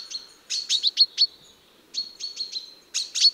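Common chaffinch giving bright, high chirps in quick clusters of three or four, with brief pauses between bursts; nothing else is heard.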